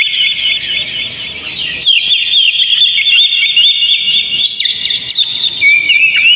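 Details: Lure recording of Oriental magpie-robin song for getting a kept bird to sing steadily: softer notes at first, then a strong continuous run of slurred whistles, ending with clear drawn-out rising phrases.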